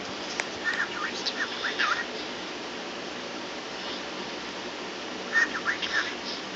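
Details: Pet bird, once scared of feathers, singing and talking to a feather held up to it: two bursts of short, quick chattering and whistled notes, about a second each, separated by a few seconds of quiet room hiss.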